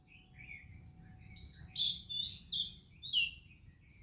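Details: Melodious morning song of an Oriental magpie-robin from India, with other birds: bright whistled notes and sweet slurred phrases in rapid bursts, pausing briefly between them, over a faint steady high hum.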